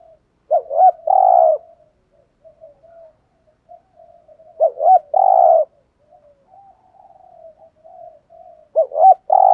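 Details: Decoy spotted dove calling to provoke other males: two cooing phrases about four seconds apart, each two short rising notes then a long, rough, burry coo, with soft low murmuring between.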